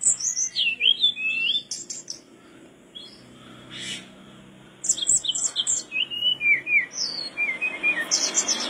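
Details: Mangrove blue flycatcher in lively song for tutoring caged flycatchers: bursts of quick slurred whistles and high sharp notes, a quiet gap of about three seconds, then another fast run of descending whistled notes with faint background hiss.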